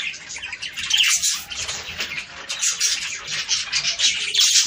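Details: Budgerigars chattering to encourage breeding: high scratchy warbling and squawks from several birds, rising and falling in loudness in short waves.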